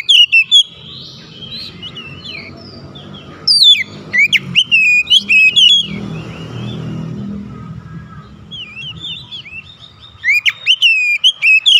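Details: An Oriental magpie-robin calls others of its kind and gets a prompt lively reply: sharp, sweeping whistled notes in bursts, with a low rumbling background noise in between.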